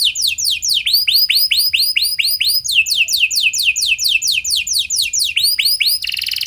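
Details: Canary 'cengkok mewah' lure song with long trills, meant to make other canaries sing. A steady run of arched whistles speeds into fast downward strokes, then a brief harsh buzz at the end.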